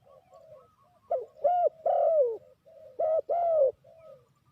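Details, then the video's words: ['Spotted dove used as a decoy to lure wild birds into a trap: soft low coos lead into two loud paired coo phrases, each a short note then a longer falling one, with fainter cooing between.'] "Sound Of Spotted Dove is so good"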